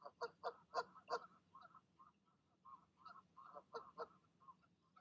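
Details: Goose parents calling as goslings prepare to leap from the nest in the evening; a loud cluster of nasal honks, then softer grunting notes and another irregular series of honks.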